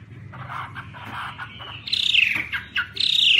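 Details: Chinese hwamei, muffled low phrases, then loud bright slurred whistles in two bursts.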